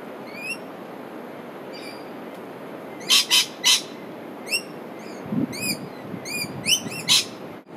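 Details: Rainbow lorikeet feeding on nectar from native umbrella tree flowers in Australia: harsh, broadband screeching bursts in a quick cluster of three, with thin, high chirps from other birds and a steady background hiss.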